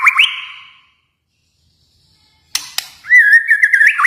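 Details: White-rumped shama from Kalimantan: a short rising whistle, a silent gap, a harsh chatter, then a fluid warbled whistle holding at mid pitch with quick wavering notes.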